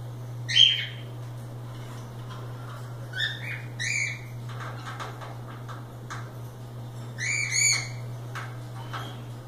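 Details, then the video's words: Cockatiels let loose and playing utter scattered harmonic chirps and a double-note call near the end, with quiet gaps and a persistent low hum. "Calopsitas Live Canto dos pássaros"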